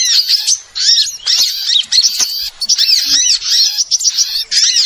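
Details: Trapping lure of small birds, a crowded, sharp chorus: bursts of high twittering and rapid chirps from many birds, broken by brief pauses about every second.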